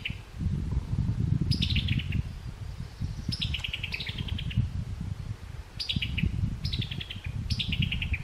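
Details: Summer tanager in summer calling with chuckling notes: five rapid, descending staccato series spaced a second or two apart, over steady low wind-like rumble.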